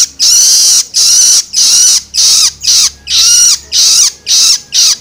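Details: Juvenile long-tailed shrike begging calls, used to stimulate adult birds: harsh, broadband, screechy notes about half a second long, repeated roughly twice a second with short gaps, some ending in a falling slur.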